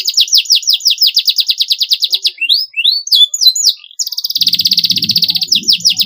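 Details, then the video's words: Caged canary singing long, clean training song: a fast run of high chipping notes, then swooping slurred whistles, and a sustained rapid buzzy trill with faint low background noise underneath. "MASTERAN KENARI SUARA BERSIH PANJANG GACOR"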